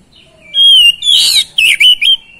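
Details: Song of an oriental magpie-robin used to rouse reluctant magpie-robins: a long pure whistle, then a rough, buzzy phrase and a few quick, sharp, slurred whistled notes.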